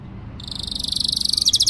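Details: Canary song meant for teaching young birds and readying females to breed: after a quiet start, a fast high buzzy trill of rapid notes begins and speeds up, with faint low background hum.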